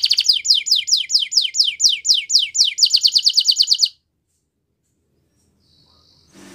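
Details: Belgian canary singing in the morning, a steady series of bright up-and-down sweeps about four per second that quicken near the end, followed by silence.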